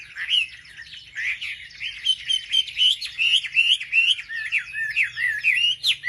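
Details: Lure song of a wambi, meant to stir up other wambi birds. Loud whistled phrases twist up and down in quick succession, each note bent and looping, and bursts repeat almost every half second.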